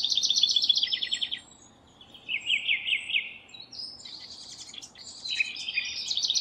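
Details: A house wren sings while building its nest: a bubbling, rapid song of fast high trills in tumbling bursts, one after another, with short pauses between phrases.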